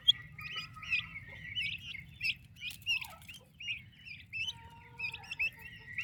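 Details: Turkey chicks with their mother, healthy and active babies: a steady stream of short, high, rising peeps overlapping one another, several per second, over a low background hum.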